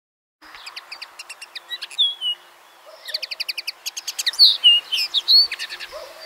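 Common Linnet song: rapid, twittering phrases of dry trills and bright whistled notes, some rising or falling, in quick varied bursts.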